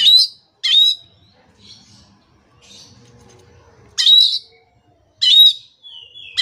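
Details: Loud Oriental magpie-robin song meant to make stressed magpie-robins that have stopped singing sing again: isolated harsh, buzzy bursts spaced by silences of one to three seconds, with faint softer notes between.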